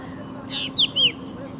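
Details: A drongo in India gives a few sharp, metallic notes: a buzzy rasp, then two clear swooping whistles in quick succession, over a faint steady hum.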